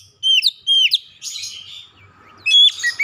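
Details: Short burst from an Oriental magpie-robin (kacer), played to stimulate a house-kept bird that seldom sings: a few bright whistled notes sliding down, a buzzy scratchy passage, then another clear high whistle.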